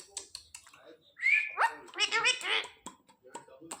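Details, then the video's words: A trained pet Indian ringneck parakeet speaks in a rapid, raspy string of harmonic syllables. The series opens with a sharp rising squeak and is broken up by quick clicks and taps. "मेरा Mithu बोला “Papa Papa” पहली बार | Talking Parrot"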